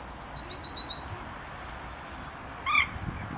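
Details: Eurasian wren among several singing at RSPB Saltholme on a morning, 1 April 2014, Canon SX50 HS: a short high rattling trill lasting about a second, then quiet, with a lower harsh call from another bird near the end.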